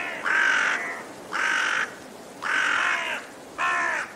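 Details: Four drawn-out, hoarse raven caws, evenly spaced about a second apart.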